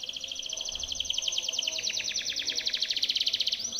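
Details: Timbrado canary singing for canary training, delivering a fast steady rolling trill of closely repeated high notes, bubbling and water-like, held for several seconds.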